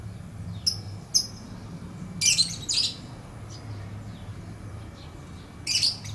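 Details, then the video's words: A lovebird giving thin, high single chirps, then a loud pair of harsh, rasping chirps in quick succession and another harsh burst at the end, over a low droning hum. "Lovebird Chirping Sounds"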